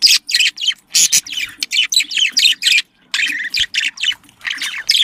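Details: Domestic budgerigars giving breeding calls: quick runs of rasping, buzzy chirps in short bursts with a brief pause near the middle, a low hum beneath.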